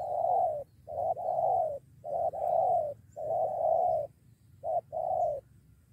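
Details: A spotted dove at a lure, set to fight with a companion against the decoy bird. Strong, rich coos come in close-packed series of long and short notes, with brief gaps between bursts.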